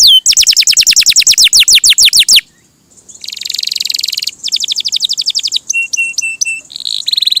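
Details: Canary song: a fast run of descending whistled notes, a short pause, then a buzzy trill, quick repeated notes and a few flat steady tones.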